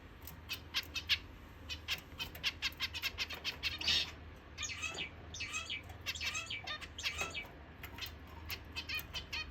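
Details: Zebra finches just after waking up give rapid series of short, nasal, harmonic-rich chirps, several per second, bunched most densely around the four-second mark, with a few overlapping squawky notes and soft rustling between bursts.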